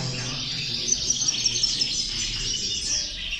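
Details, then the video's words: Brief burst of European goldfinch chorus used as a motivator for goldfinches: high, liquid twittering and tinkling notes crowded together without pause. "corona de caderneras, motivador de jilgueros"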